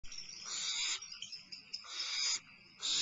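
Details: Barn owl owlet at Starr Ranch, limping and eating a midnight meal on 22 May 2011, giving long harsh hissing screeches, nearly continuous with brief breaks and rougher broken rasps in between.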